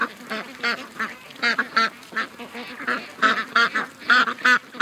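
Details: Ducks among a crowd of over 700 ducks and geese heading to the lake one August morning in 2015; clear, harsh, nasal quacks in short runs, close to three per second, with quieter flock chatter behind.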